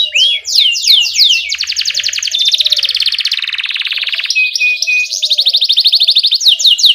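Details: Lively canary in rolling 'ngerol' style with 'cuit cuit' calls, recorded to prompt young canaries to sing: curved whistled sweeps open into a long dense buzzing trill, then repeated quick chirps.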